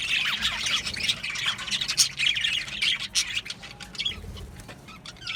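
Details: Aviary of Australian budgerigars giving quick squawks and chirps in irregular rapid bursts, some wing flutter, the chatter thinning out toward the end.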